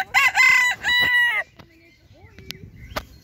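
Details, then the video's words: Cochin rooster crowing in a park: a loud, drawn-out harmonic crow in several joined segments lasting about a second and a half, then quieter background with a few sharp clicks and faint chirps of other birds. "Cochin rooster crowing in park"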